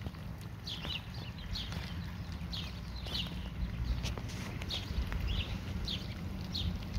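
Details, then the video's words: Ducklings foraging give soft, high peeps that slide downward in pitch. The peeps repeat every half second or so over a steady low rumble of background noise. "Baby Duck Asmr Foraging"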